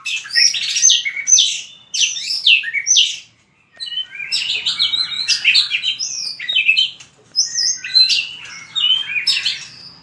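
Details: Fighting-style song (hót đấu) of a white-rumped shama for voice training: bursts of sharp, high whistled notes and quick trills in phrases of two to three seconds, separated by short pauses.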